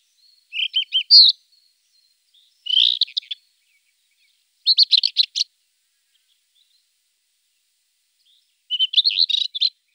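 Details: Rufous-tailed scrub robin song: four short bursts of high, scratchy, warbling notes spread across ten seconds, each phrase a quick jumble of chirps separated by silent pauses, no other sounds.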